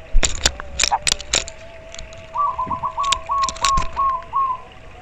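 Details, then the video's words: Local zebra dove, played to raise breeding drive and panic rivals: a run of about eight short, slightly rising cooing notes in quick succession, over a steady faint tone, with loud sharp knocks and clicks earlier. "perkutut lokal terapi koar koar bikin panik lawan"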